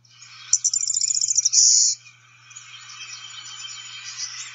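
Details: Blue-winged Warbler type 2 song, which cannot be told apart from the Golden-winged Warbler's type 2, played from a field-guide app: a fast run of high, thin stuttered notes ending in a sustained buzzy trill, followed by a softer jumbled chatter.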